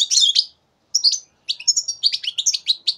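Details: European goldfinch, a young bird of the year aged three months, recorded in 2015, delivering a fast, liquid twitter of high chirps and buzzy trills, one short burst, a pause, then a continuous run.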